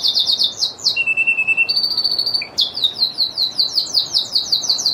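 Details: Lizard canary in full song: quick repeated high notes, then a long steady whistle, a second flat tone, and a renewed series of rapid descending syllables.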